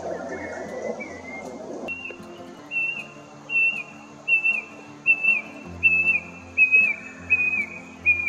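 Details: A brush cuckoo in Australian woodland or bushland gives a run of about ten clear, down-slurred whistles, roughly two each second, over a faint low hum.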